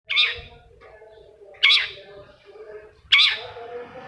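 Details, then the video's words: Long-tailed shrike, a lure sound for making silent caged shrikes sing: three loud harsh rasping bursts about one and a half seconds apart, each trailing off, over a low steady hum. "SUARA CENDET INI BISA MERANGSANG CENDET MACET JADI RAJIN BUNYI PAGI SIANG MALAM!!!"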